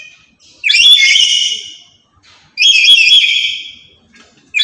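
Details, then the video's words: Very vocal, loud lory that is active daily and serves as a lure and master bird for other lories, giving two long, harsh, ringing screeches separated by a short pause. "Inilah Burung Nuri Yang Paling Cerewet Dan Lantang"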